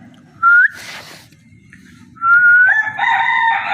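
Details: Parrot giving a clear rising whistle, a brief breathy burst, then a second rising whistle that runs into a rough, drawn-out harmonic call resembling a rooster's crow. A low background hum is present throughout.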